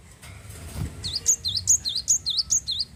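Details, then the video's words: Java sparrow song meant to stimulate other captive birds to sing: after a low thump and background noise, a steady run of high, clear, down-curving chirps repeated about five times a second. "glatik wingko gacor mampu merangsang burung glatik anda jadi bunyi"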